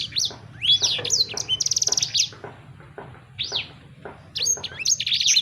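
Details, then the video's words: Songbird singing scattered upslurred whistles, a fast buzzy trill in the middle, then a dense run of high chirps, with brief quiet gaps between phrases. "Burung Sanger Anda Bunyi Seketika"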